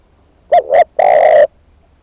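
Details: One full phrase from a decoy spotted dove: two short coos close together, then a longer sustained coo lasting about half a second. The background is otherwise quiet.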